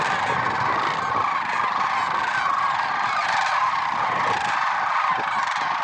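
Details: Early-morning lesser sandhill cranes at Merced National Wildlife Refuge, February 6, 2023, producing a constant dense din of rolling, trumpeting calls from many birds at once.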